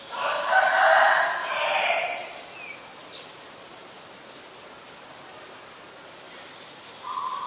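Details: Black-collared starling recorded in Ubon Ratchathani, Thailand, on 10 November 2021: two loud, harsh, raspy bursts over about two seconds, then a quiet stretch and a short clear whistled note at the end.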